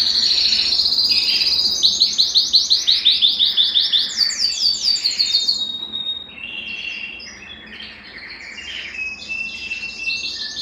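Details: Belgian canary song meant to excite males and ready females for breeding; about six seconds of fast, evenly chopped trill notes repeated several times a second, then softer, quieter scattered warbles.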